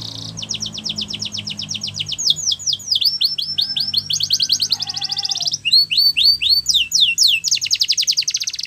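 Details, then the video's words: Yorkshire canary training song for young canaries: rolling trills shifting between several rapid repeated note types, some slurred whistles and a low warbled phrase in the middle. "Canaries Singing For Training | Yorkshire Canary"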